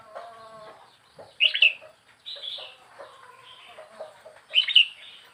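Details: Young wild red-whiskered bulbul kept four weeks in a cage gives two short, loud, warbling chirp phrases about three seconds apart, with faint softer notes and background murmur between them.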